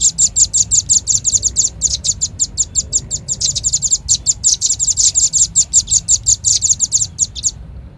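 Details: Red-billed leiothrix lure call used for bird trapping: rapid, high, sharp chirping notes repeated almost three times a second in long dense runs, ending abruptly before the final half second.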